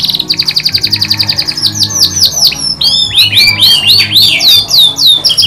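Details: Lure song of a canary, meant to get other canaries singing, with 'kapas tembak' fill phrases: a rapid high trill gives way to loud, sweeping down-slurred notes repeated in quick series, over a low background hum.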